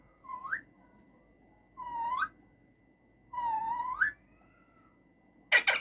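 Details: Caged male rose-ringed parakeet making different sounds: three clear whistled notes, each dipping then sweeping upward, spaced about a second and a half apart, followed by a brief harsh broadband burst at the end.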